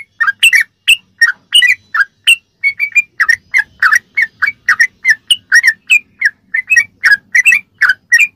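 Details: Ropelan of a sooty-headed bulbul, recorded as masteran filling material: a clean, unbroken string of sharp, bubbly whistled notes, roughly three per second, on a quiet background.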